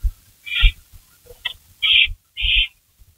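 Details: At a barn owl nest in the early hours of 16 May 2012, with a rabbit brought in, short breathy hisses come in quick succession, one clipped note among them, above low bumping sounds.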